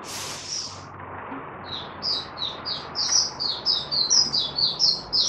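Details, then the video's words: Oriental white-eye in 'buka sing' open singing, recorded 20 January 2022, fifth day after monthly deworming: one high smeared note, then quick thin chirps rising in pace and loudness, about two per second, over faint low hum. "Mata Puteh Raja Video 1 buka sing"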